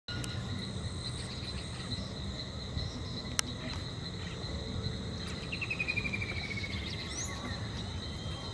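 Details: A straight-billed woodcreeper (Dendroplex picus) gives a quick, slightly descending run of sharp notes lasting about a second and a half, over a steady insect drone and low rumble.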